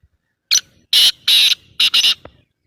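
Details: Loud harsh call of a black francolin: a short introductory note, two drawn-out grating notes, then two clipped notes close together, forming one rhythmic phrase against a silent background.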